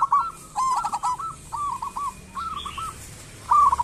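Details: Local zebra dove in full song, used as a lure for other doves: short cooing notes in a row, broken by quick rattling stutters, and a faint high chirp from another bird.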